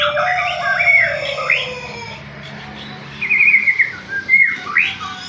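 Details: White-rumped shama song used as a lure to provoke other shamas into singing; varied whistled and chattering phrases around mid-high pitch, a quieter pause midway, then rising sweeps near the end.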